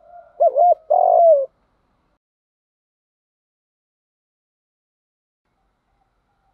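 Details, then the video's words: Spotted dove cooing used as a lure to train birds to coo: a short wavering coo followed by a longer, louder trembling coo within the first one and a half seconds, then silence. "tiếng chim cu gáy tập bổi nhanh nổi và hiệu quả, tiếng thúc gù, gáy gọi"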